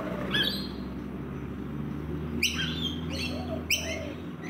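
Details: Rainbow lorikeet parrots feeding in a backyard give a few shrill, grating screeches, one early and a cluster of three later, over a constant low droning hum.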